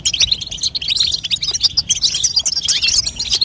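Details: Female European goldfinch calling to encourage a young bird to sing, heard as quick bursts of sharp, tinkling chirps packed closely together.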